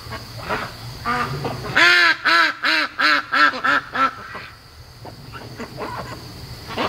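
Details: Home-raised ducks, 73 days old, active at 3 a.m. at night: softer scattered calls, then a loud run of seven harsh, evenly spaced quacks, about three per second, before quieter calls return over a steady high hum.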